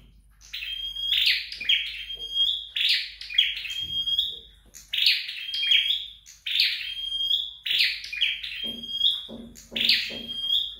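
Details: Flowerpecker singing steadily during home training: about eight rapid, buzzy phrases, each ending in a thin, held high whistle, with soft low tapping sounds near the end.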